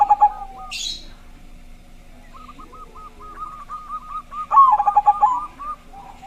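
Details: Zebra dove lure song from a loud local singer: soft, evenly repeated coo notes build into one loud, fast burst of bubbling coos, with a short hiss early on.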